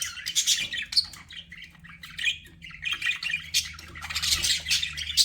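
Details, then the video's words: Budgerigar warbling continuously as a pet: dense, rapid chatter of scratchy chirps, clicks and squeaks with no real pauses, swelling louder near the end. "BUDGIE SOUNDS"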